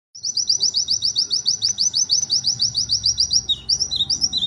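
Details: White-eye in lively song: a long fast run of short repeated high notes, about three per second, steady and rattling, then breaking into varied quick chirps near the end.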